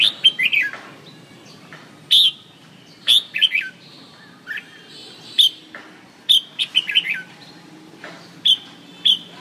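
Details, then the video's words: Red-whiskered bulbul delivering repeated short phrases of clear, high chirping whistles with quick slurred notes, spaced roughly every second, against a quiet low hum. "chim Chào mào"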